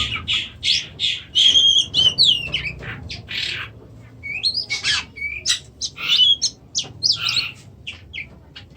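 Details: Oriental magpie-robin, described as not singing; dense run of harsh, raspy chattering bursts interspersed with a few thin, clear whistled notes, delivered in quick irregular clusters with short gaps.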